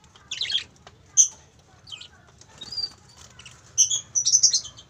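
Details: Two pairs of parakeets give high, scratchy chirps and short squeaky notes in irregular bursts, with some wing flutters and a faint background hum.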